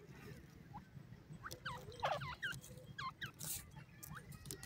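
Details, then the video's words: Francolin chicks in a forest giving short, sharply curved peeping notes in quick bursts, several overlapping near the middle, over a steady low rumble of background noise. "titur ke awaj,jungli tetar k chicks,francolin in the forest"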